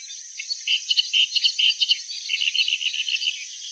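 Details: Clamorous reed warbler giving a fast, chattering song of harsh repeated syllables, strongest in the first half and softer later, set against a constant high-pitched hiss.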